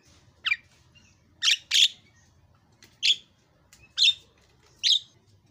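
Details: Javan myna giving separate short, harsh, scratchy squawks, about six spaced at roughly one-second intervals with two close together, over a quiet low background hum.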